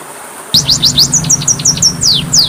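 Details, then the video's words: Kacer, or Oriental magpie-robin, singing for masteran training: after a short silence, quick high whistles begin, some falling steeply and some flatter and level, set close together over a low constant drone. "MASTERAN KACER PALING DI CARI, masteran Kacer suara burung kecil yang sedang tren di tahun ini"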